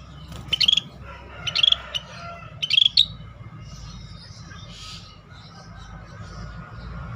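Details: Scaly-breasted bulbul, a rare bird in full steady song for tutoring other songbirds, gives three short bright trilled phrases about one second apart, then falls quiet apart from a soft distant chirp and low hum.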